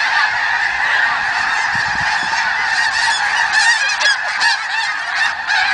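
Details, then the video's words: Massed snow geese at the Richmond Dyke giving a constant din of overlapping honks, a thick chorus of barking, nasal notes from many birds at once, with slightly louder bursts near the end. "Snow Geese Symphony"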